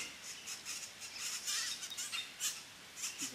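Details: Three red-bellied grackle chicks being fed at a nest in La Romera reserve, Sabaneta, Antioquia, Colombia, 2012; harsh, hissing high-pitched begging bursts repeat rapidly and unevenly through the whole recording.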